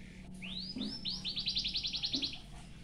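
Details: Song of a white-headed munia with canary-type phrases, meant as tutor material: two rising whistles, then a fast, even trill of about a dozen bright repeated notes before it stops abruptly.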